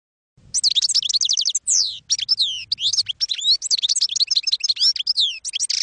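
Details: Campero-style European goldfinch song used to teach young goldfinches: a rapid series of sharp repeated chirps, then a flowing mix of liquid twitters, slurred whistles and short buzzy notes without a break.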